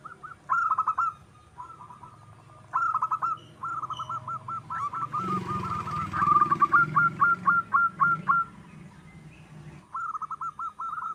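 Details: Wild zebra dove in full song, used as a lure for other doves: short rolling trills of quick staccato coos repeat, building into a long fast run of clipped notes before another brief trill. Faint low rumble behind.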